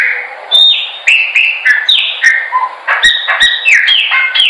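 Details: Chopi blackbird song meant to train birds to sing: dense sequence of loud whistled notes, many dropping or stepping down in pitch, some low and mellow, a few sharp clicks mixed in, nearly continuous.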